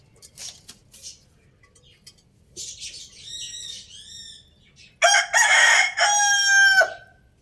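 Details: Loud rooster crow, a strained multi-part cock-a-doodle-doo with a long sustained final note, after several seconds of softer clucks and squawks from nearby chickens.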